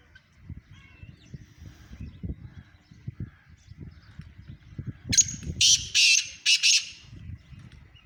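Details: Black francolin in Sindh, Pakistan: after five seconds of low rumbling background noise, a loud, harsh, grating call bursts out as about five rasping notes in quick succession, the last two set slightly apart.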